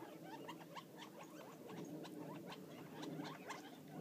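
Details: Wild Gambel's quail feeding outside Florence, Arizona: a dense, soft chatter of short clucking and chipping notes overlapping throughout, several birds calling at once, faint against steady low background rumble.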